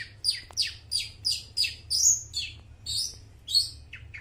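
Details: Long-tailed shrike in lively song used as a lure to train mute shrikes: a run of about ten sharp, descending chirped notes, evenly spaced roughly every third of a second, some high and squeaky, with a faint low hum beneath.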